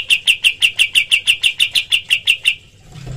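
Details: Kapas tembak bird, recorded to train other songbirds, repeats clear, high, sharp chirps in an even run of about thirteen notes before falling silent; faint low background hum.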